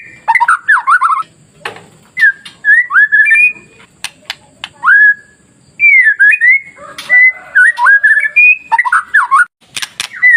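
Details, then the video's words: White-rumped shama song played to goad other shamas into singing: dense sequences of whistled slurs and warbles, with sharp clicks scattered between phrases and brief pauses. "SUARA MASTERAN KICAU MURAIBATU Pancing Murai Lain yang Takut Jadi Emosi dan gacor"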